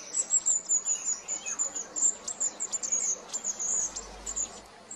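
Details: Long-tailed tit giving a continuous run of very high, thin, rapid see-see notes, closely spaced and slightly irregular, with a faint lower twitter in the middle and quiet background hiss.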